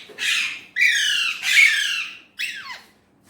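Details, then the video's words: An Indian ringneck parrot talks in Urdu/Hindi. Three long, strained, nasal syllables run together, the last sliding downward, then a shorter falling phrase in a quiet room. "Indian ringneck parrot amazing talking parrot Mitthu || alexandrine parrot voice talking Urdu/Hindi"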